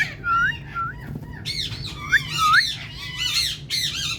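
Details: A female Indian ringneck (rose-ringed) parakeet, a talking parrot, gives a series of nasal, arched, meow-like calls imitating a cat.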